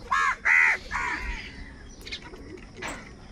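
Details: Crows fighting for food give two loud, harsh, nasal caws in quick succession, followed by a weaker drawn-out caw and a couple of faint distant calls over a low background hiss.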